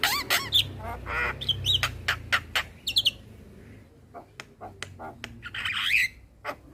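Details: Singing adult male Javan myna, recorded as tutor song for a young bird: rapid clicking notes and short harsh squawks, a quieter gap with scattered ticks, then a raspy buzzy phrase.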